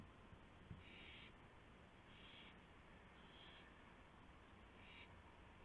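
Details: At the nest at 1:00 AM on March 24, 2016, an owl is heard while a gopher is brought as prey. Four short, noisy hissing bursts come at roughly 1.3-second intervals, with a single tap early on.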